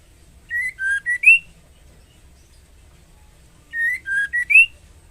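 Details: Female white-rumped shama, in breeding condition, calls to the male in two matching phrases of four whistles: a level note, a lower dip, a short note and a rising final whistle, about three seconds apart.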